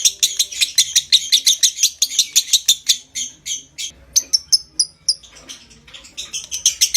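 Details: Lovebird with a long continuous chattering trill to stimulate breeding condition: dense rapid high-pitched chirps repeated about three per second, shifting midway into clipped whistled notes and back into fast chatter.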